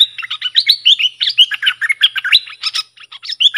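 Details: Bulbul song used to train young birds and lure wild birds: a rapid, bubbly run of bright, warbled whistles, several notes a second rising and falling, with no other sounds.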